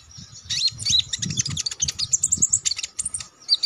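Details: Konin songbird used as a training song for contest birds, delivering a dense run of rapid high chips and sharp whistled notes almost without pause. A soft low rumble sits underneath.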